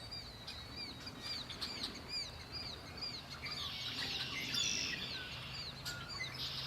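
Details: By Lake Erie, a bird repeats short arched chirps about twice a second, then a denser buzzy high trill rises near the middle, against a low humming background.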